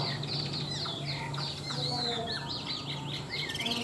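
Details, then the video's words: Tame caged Chinese hwamei from Vietnam, a large-bodied bird noted as a strong singer: rapid varied whistled phrases sweeping up and down, partly masked by a steady low hum and background noise. "Họa mi thuần đẹp, hót tốt bộ to"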